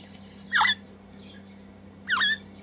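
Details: Two Crimson Rosella chicks during hand-feeding, messy, eager eaters; a pair of strong, grating squawks about one and a half seconds apart, separated by quiet hum.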